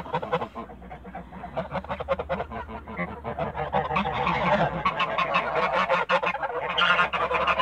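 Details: Backyard flock of Toulouse geese honking continuously, loud nasal calls piling over one another and growing louder toward the end, with no pause.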